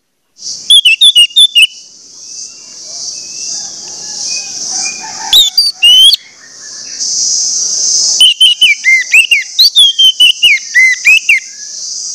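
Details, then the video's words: ['Orange-headed thrush song played to get other orange-headed thrushes singing: rapid strings of sharp whistled and slurred notes over a steady high insect-like hiss throughout.'] "pancingan anis merah bikin anis merah lain cepat ngeplong"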